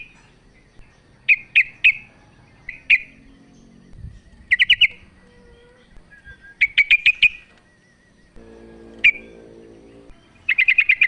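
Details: Female sooty-headed bulbul calling for the male: irregular bright chirps, singly and in bursts of four or five, with a brief low buzzing noise near the end.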